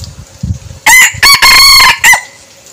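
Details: Red junglefowl decoy cock crowing: after some low background knocks, a loud harsh crow in four segments, a short note, a long sustained middle part and a clipped rising end.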